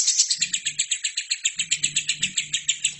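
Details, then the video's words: Lovebird giving nonstop song, used as a model for other birds: a squeaky note opens a rapid, evenly spaced series of rasping high pulses over a soft low hum. "LOVERBIRD GACOR!!! INILAH HASIL TERAPI MASTERAN TERBAIK 2017"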